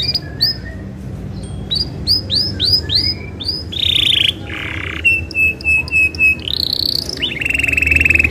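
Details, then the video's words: Isabel canary singing energetically as a lure to set other canaries singing: rising whistled sweeps, then a buzzy held tour, level piping notes repeated about twice a second, and a closing rattling trill. "KENARI ISABEL GACOR, NGEROL BUAT PANCINGAN KENARI LAIN AGAR GACOR DURASI PANJANG"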